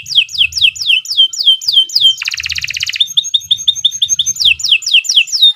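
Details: Canary master song, long and continuous, used to train young birds to sing: rapid repeated descending high whistled notes, a dense buzzy trill in the middle, then clipped chirps and more falling sweeps. A low hum runs underneath.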